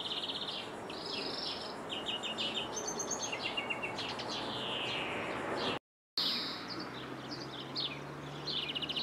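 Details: European greenfinch from a window in Jordan: twittering chirps, short trills and a sliding buzzy note, with a brief cut of silence midway and a low hum afterward.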